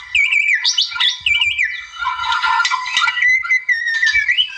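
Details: Wild white-rumped shama song used to provoke rivals, starting with repeated wavering whistled phrases, then a dense buzzy passage, ending in long slurred whistles.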